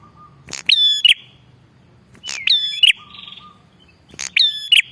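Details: Lure recording of an active bar-winged prinia: loud buzzy bursts roughly every one and a half seconds, each led by a sharp click, with low flat whistles and thin rising notes between.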